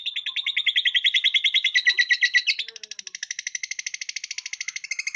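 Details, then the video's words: Caged lovebird clinging to the cage bars, singing in the ngekek style: a long, rapid chattering run of sharp repeated notes, roughly two per second grouping into a fast buzzy trill that shifts higher partway through. "Burung Lovebird Gaya Ngekek Nempel Jeruji"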